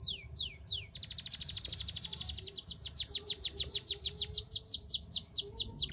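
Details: Canary in vigorous song for prompting lazy canaries, opening with a few slow falling whistles, then a fast dense trill that gradually slows into evenly spaced descending notes.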